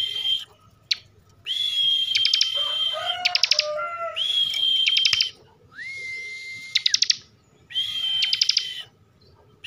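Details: Bren song of a caged bar-winged prinia from Slawi, Central Java: long steady high whistles studded with fast ticking trills, a lower rising whistle, and a few soft lower warbled notes in between.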